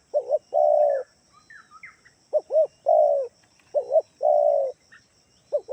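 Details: Lure call of a spotted dove from Kalimantan meant to set other doves calling: repeated coo phrases of two quick hoots and a drawn-out falling note, with a few faint thin chirps from other birds between.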